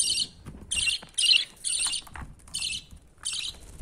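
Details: Baby budgerigar begging from its father, with about six coarse, hissing buzzy bursts spaced roughly half a second apart, some louder and squeakier than others.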